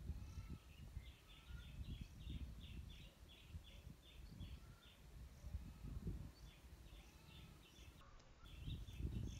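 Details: Oriental magpie-robin feeding its young, filmed from a camera set up high: rapid series of short, sharp chipping notes repeated many times per second in bursts, over a low rumbling background.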